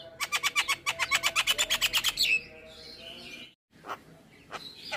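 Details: Javan myna, called jalak kebo, giving a full varied song meant to make other mynas answer. A fast run of loud, regular chirps repeats about three times a second for two seconds. A pause follows, then scattered harsher single calls.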